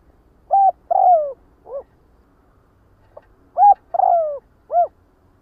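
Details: Two three-note phrases from a spotted dove calling its flock: a short coo, a longer falling croo and a closing short coo, the second phrase following about three seconds later.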